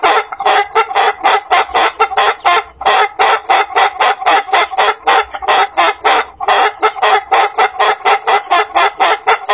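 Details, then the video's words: An Ayam Ketawa ("laughing rooster") cock, a long-crowing chicken breed from South Sulawesi, Indonesia, gives one long, unbroken crow of rapid, staccato, laughter-like syllables, about four a second, lasting nearly ten seconds. "ROOSTER CROWING - longest rooster crow ever!"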